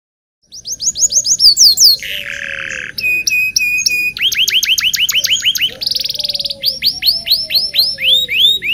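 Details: Local canary in full, lively song, used to teach young canaries to sing: rapid varied phrases of repeated sweeping whistles, a buzzy trill and quick chirped series, continuous for about eight seconds.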